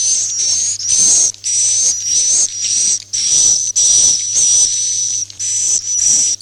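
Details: Roosting lure for farmed swiftlets, "Masal" style: loud rasping, hiss-like chirps in quick succession, about two per second, with a faint thin whistle riding on top and a low background hum.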